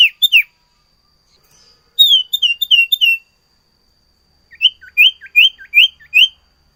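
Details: Full-voiced sirtu singing a rich repertoire of learned fill-in phrases: short high chirped bursts, a quick run of five to six sharp notes, a silent gap, then another string of five rising-falling chirps.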